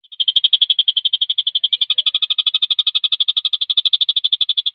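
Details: Javan cochoa song used as a master recording for training competition birds: a long, even trill of sharp, high notes repeated about eight per second at steady pitch, with no pause.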